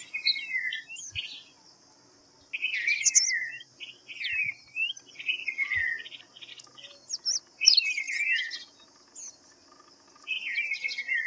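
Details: White-browed fantail singing short clear whistled phrases, each a few notes sliding down then rising, given in bursts with pauses of one to two seconds; a steady high insect-like hum runs throughout, with faint extra chirps above.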